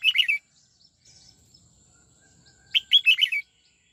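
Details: Red-whiskered bulbul in '89 twisting' song training: the tail of one warbled phrase, then after a pause of about two seconds a full run of six fast rolling whistled notes, loud and clear.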